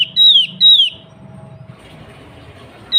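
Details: Lure call of a female sooty-headed bulbul summoning the male: two loud, pure whistles gliding downward from a high pitch in quick succession, a lull with low rumble, then a third whistle beginning at the end.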